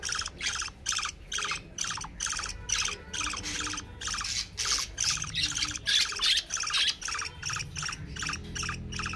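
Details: A young budgerigar, excited at seeing a baby budgie, chatters in rapid, harsh squawks and chirps, bursting out several times a second.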